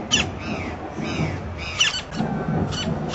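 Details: Campo flicker recorded in a city park in Brasília, Brazil; brief shrill squeaks alternating with fainter falling notes, repeated several times against a low rumbling background.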